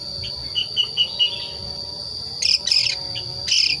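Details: A young Long-tailed Shrike, about five months old and still learning its song, gives its original natural voice with no learned mimicry: short chirps, then harsh scratchy bursts over a steady high insect drone.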